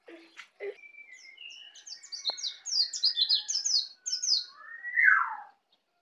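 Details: A young Bali white-eye just learning to sing: high, thin twittering phrases of rapid slurred chirps, ending in a louder downward-sweeping note, with a few soft clicks at the start.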